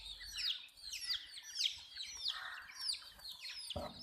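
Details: Baby chickens drinking water give clear, high, downward-sweeping peeps roughly every half second over a softer background chorus, ending with a short low thump.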